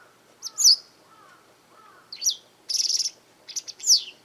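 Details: A Japanese wagtail vocal in a garden gives a loud high chirp, a few faint lower soft notes, then a squeaky note, a buzzy pulsed trill and a final descending chirp.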